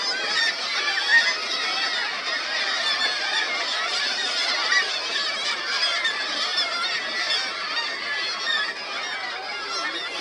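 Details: Dense, unbroken chorus of black-legged kittiwakes at a breeding colony on seafront buildings in Ålesund, Norway, on 16 July 2024: many nasal, wailing calls overlapping throughout, with no single bird standing out.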